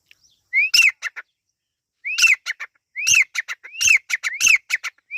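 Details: Partridge chicks, called Irani teetar, giving upslurred whistles each trailed by a rapid cluster of harsh ticking notes, phrases following one another closely after a short quiet opening.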